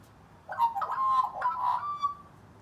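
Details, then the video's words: Rescued Australian magpie dueling in song with a local wild pair: a short run of mellow gurgling and fluting notes ending in a sustained clear whistle. "Magpie Sing Off"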